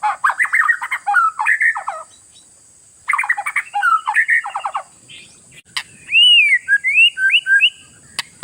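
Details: Oriental magpie-robin singing to provoke rivals. Two dense bursts of jumbled, chattering whistles are followed by cleaner, looping arched whistles and a sharp click, with a steady high-pitched whine underneath.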